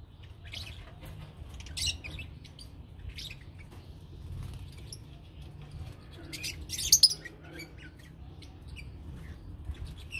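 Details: Lovebirds in a colony give scattered high, squeaky chirps and short shrill bursts, with a louder cluster near the seventh second, over a steady low hum.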